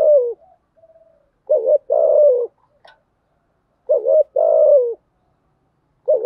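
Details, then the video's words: Decoy spotted dove giving 'thúc gù' and 'gáy gọi' calls to stimulate other doves to call. Two full soft coo phrases about every two and a half seconds, each a short wavering double note then a longer falling coo, the next starting. "Tiếng chim cu gáy mồi giọng lôi cuốn hấp dẫn đủ bài[ THÚC GÙ , GÁY GỌI ]"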